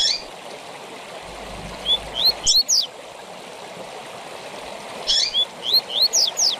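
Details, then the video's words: Tui tui zel zel fibra song of a double-collared seedeater, a training song for captive birds: two bursts of rising whistled notes with sharp high chips, separated by a pause over constant flowing-water noise. "TUI TUI ZEL ZEL DE FIBRA TOP PARA ENCARTE DE COLEIROS E PAPACAPIM"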